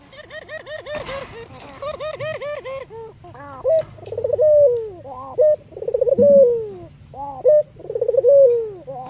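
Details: Local albino Barbary dove used to lure other doves into calling. The first seconds hold rapid, harmonically rich repeated notes, then rolling coos with long, falling tails repeat about every two seconds.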